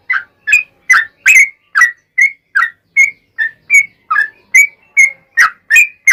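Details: Yellow-vented bulbul delivering a long rapid song in the 'ropel panjang' style as a lure for answering bulbuls: steady stream of around fifteen short bubbly whistles, alternately higher and lower, roughly two to three per second.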